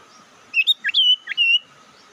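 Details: Bird call used as a lure to rile up rivals: a short string of clear whistles, some upslurred and some held and wavering, all within about a second, over faint background hum.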